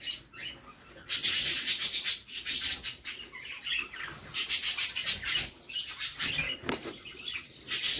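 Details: Budgerigar chicks in the nest box while their mother feeds them; after a quiet second, intense hissing, very high rasping bursts come in waves, each lasting about a second.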